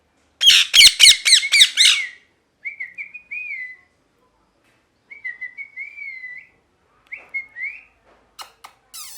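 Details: Parrot gives a fast run of five harsh, screechy squawks, then a series of soft, wavering whistled notes that rise and fall at a steady pitch. The whistles come in short groups separated by pauses, and a few faint clicks close the sequence.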